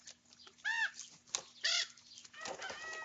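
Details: Young common ravens squabbling while eating breakfast. Two loud, hoarse, arched caws about a second apart, then softer, wavering, whining notes as feeding continues.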